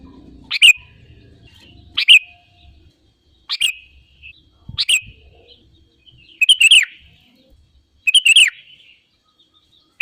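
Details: Lure recording of a sooty-headed bulbul, meant to set other birds singing: short, bright liquid phrases, each a quick bubbling flourish, delivered about every one and a half seconds with quiet gaps between.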